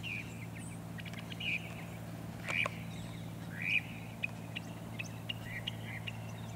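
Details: , 14 October 2023, at Cape Cod, Massachusetts, described as hitting all notes. Varied short chirps, slurred upsweeps and clicks follow in quick, irregular succession over a steady low engine-like hum.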